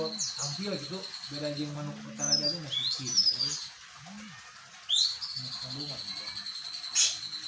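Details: White-rumped shama singing in a style that imitates the bar-winged prinia. Sharp, high whistled sweeps and chirps come in bursts over a steady high ringing tone, with a man's voice talking low underneath.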